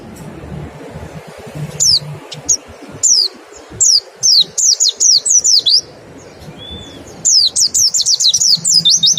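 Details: Mountain white-eye singing in the 'nembak' style, played as a 'ngecal' lure to prompt fast singing: bursts of thin, high, descending whistled notes in quick runs, with a brief pause midway.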